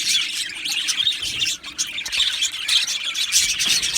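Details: Budgerigars in an aviary colony, chirping and singing: thick, scratchy high warbling with quick whistled notes and one brief lull partway through before the chatter resumes.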